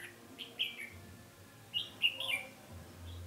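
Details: Decoy red-whiskered bulbul at a trapping session on 20 November 2015, calling to draw in and fight wild birds; two bursts of quick, bright warbled notes separated by a pause, with a low droning hum beneath.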